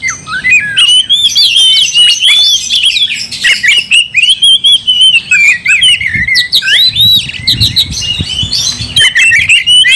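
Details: Oriental magpie-robin singing continuously to rouse another bird to fight: a dense, rapid stream of whistled warbles, chirps and squawky notes with almost no pauses, some low background rumble.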